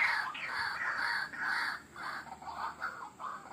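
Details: White-breasted waterhen, in a recording meant to lure wild birds, uttering harsh croaking phrases that start strong and grow quieter and choppier toward the end.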